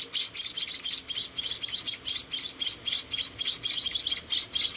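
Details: Four rescued munia chicks are being hand-fed. They give rapid, high, hissing-buzzy begging calls, about four a second in a steady stream, with no other clear sounds.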